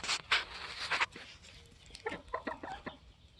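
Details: Polish layer hens, 21 weeks old, kept with their protective rooster: bursts of noisy flapping or scratching at the start, followed by a quick series of short, sharp clucks.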